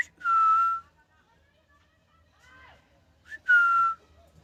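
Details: Two long, level whistles from a happy pet rose-ringed parakeet, rescued in India, each opened by a brief rising note, with a faint warbling murmur between them.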